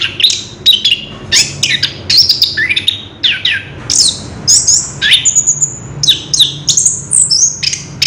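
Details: Song of a caged orange-headed thrush, recorded on 3 March 2016: a wild rolling stream of varied whistles, quick downslurs and rising notes, one long clear high whistle mid-phrase.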